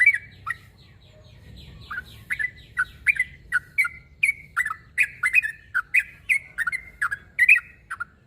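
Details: Sooty-headed bulbul calling a rival: after a quiet start, a rapid series of short, bright chirped notes, some rising and some falling, repeats about twice a second and grows louder toward the end.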